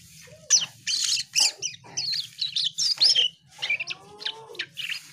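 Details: Gacor Asian pied starling producing loud squeaky chirps and chattering bursts, followed by a few smooth lower whistled slurs, over a faint low hum.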